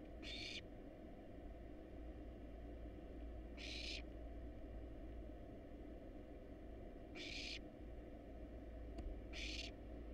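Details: Hungry wild barn owl chicks begging at a monitored nest box during feeding on rat and rabbit: rasping hiss-screeches, four separated bursts roughly three seconds apart, with a constant low droning background.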